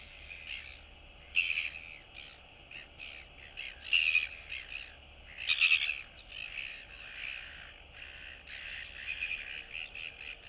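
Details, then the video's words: Royal albatross chicks chatting and greeting neighbours in the colony on 9 September 2022; a busy stream of short, scratchy nasal notes with three louder sharp bursts, over a low steady hum. "Royal Albatross ~ Cute Chick Chat & Interacting Among Neighbors!"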